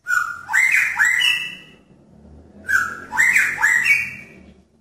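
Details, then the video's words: Caged male magpie-robin in a pairing cage calling to attract a female: two loud whistled phrases, each a short flat note followed by quick rising, upslurred whistles, separated by a brief pause. "Murai Jantan Menarik Perhatian Murai Betina dalam Kandang Jodohan"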